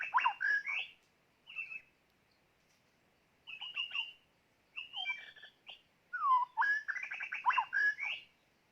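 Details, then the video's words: A white-rumped shama used to lure birds for trapping sings phrases separated by short pauses: sharp whistles, a downward-curving fluty note, then a long rapid run of varied chattering and whistled notes. "ต่อนกกางเขนดง ตัวนี้สุดยอดจีงๆ"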